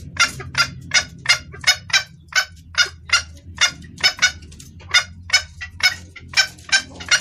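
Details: Female red junglefowl calling to a male, a clear recording used as a lure for males: harsh, broadband clucking notes repeated about two to three times per second, slightly uneven in spacing, over a faint low steady hum.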